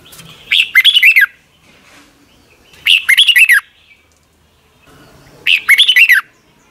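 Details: Red-whiskered bulbul song from Thailand, played each morning so young caged birds learn it; three short bright phrases of quick whistled, warbling notes, each about a second long, repeated every two to three seconds.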